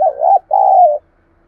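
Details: One spotted dove phrase used to provoke wild doves to reply: a hoarse, wavering first note followed by a longer, steady low coo, the whole lasting about one second.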